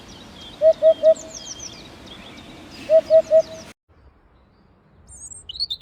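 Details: Eurasian Hoopoe giving soft, hollow, low triple hoots, oop-oop-oop, in two evenly spaced bursts about two seconds apart over a steady background hiss; after a pause, thin high chirps from another bird follow.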